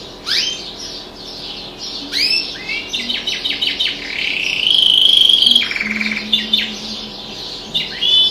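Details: Pet canary singing along with other birds outside the window; a busy mix of high sweeping whistles, quick rising notes and a sustained buzzy trill, with overlapping chirps from the outdoor birds.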